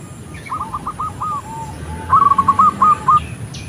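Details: Female zebra dove calling the male: a faint run of quick trilled cooing notes, then a louder burst of rapid staccato notes, over steady background hiss.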